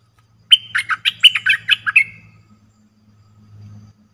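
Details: Cream-vented bulbul lure call used for trapping: a quick bubbly run of about eight chirping notes over one and a half seconds, jumping up and down in pitch, followed by a faint low hum and quiet.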